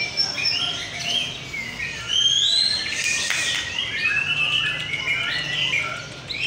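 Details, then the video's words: Murai batu, the white-rumped shama, singing in a contest in North Jakarta, Indonesia: a rapid flow of bright whistles and upward-swooping notes, loudest midway, with sharp clicks and other birds overlapping. "KONTES BURUNG MURAI BATU"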